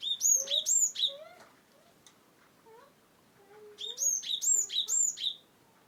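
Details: Wonosobo cinereous tit (gelatik batu), played to get reluctant birds singing: two bursts of loud hooked high notes falling in pitch, separated by a quiet middle stretch with faint low slurred whistles.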